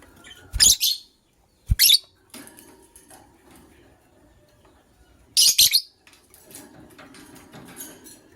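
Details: A white lovebird couple in the morning. Loud, piercing chirps come in three bursts: two close together early, then a longer gap before the third. Faint chatter fills the quiet stretches.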